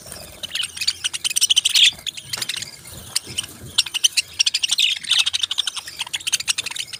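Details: Parrots chatter in dense, rapid trains of high clicks and chirps, rising to two busy peaks, with many birds calling together.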